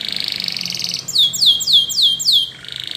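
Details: Spanish Timbrado canary song used for training other canaries to sing: a fast metallic trill, then five loud descending whistled sweeps about a quarter second apart, ending with a lower rapid trill; indoors, no other sounds.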